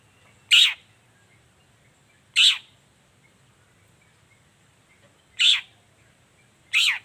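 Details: Morning lure song of a Long-tailed shrike, meant to make quiet shrikes respond: four harsh, scratchy notes at uneven gaps of one to three seconds, clear over near silence.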